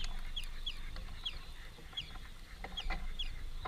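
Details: Greenfinches, a family feeding together at a workplace, utter clear, thin, downslurred chirps about twice a second over a steady low background hum.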